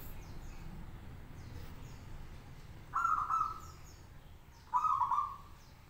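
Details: Caged local zebra dove singing to draw answers from other doves: two separate rolling, slightly trilled coo phrases about two seconds apart, each under a second long, over quiet background hiss.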